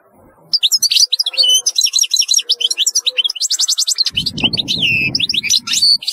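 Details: European goldfinch delivering a fast, continuous twittering song of high tinkling notes, buzzy trills and rapid repeated chirps, with a brief low rustling noise midway.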